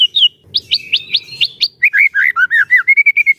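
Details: Kept White-rumped shama singing a rich, varied phrase: clear whistled notes repeated about five times, then a run of lower falling slurs ending in a steady, quickly repeated whistle; the bird is used as a trainer to make other shamas sing.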